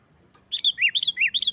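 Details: Short burst of sooty-headed bulbul "nggaruda" fighting song, used to stir other bulbuls into singing: five quick bubbling notes swinging between a high sweet whistle and a lower drooping slur.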